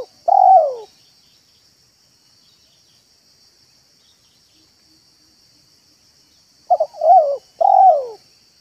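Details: Spotted dove cooing in a yard, manggung and meratus style lure for doves: a falling coo at the start, about six seconds of silence, then two quick notes, a rolling coo and a final falling coo. A faint high steady whine throughout.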